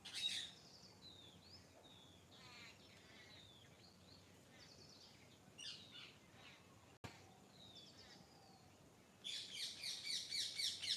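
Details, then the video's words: Morning birdsong from several birds: soft, distant chirps and short trills over a steady hiss, ending with a louder, fast run of repeated high chirps. "Morning Nature Sounds - Bird Sounds"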